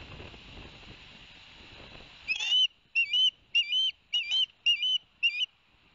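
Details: Ospreys at Barnegat Light, New Jersey, 11 September 2021, after the adult male brought two fish; following a hissy opening, six clear, evenly spaced whistled chirps ring out, each a brief rising note.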